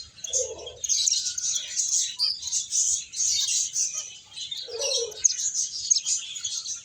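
A flock of finches keeps up a steady wash of thin, high chirps and twitters, with two brief low, soft notes breaking in.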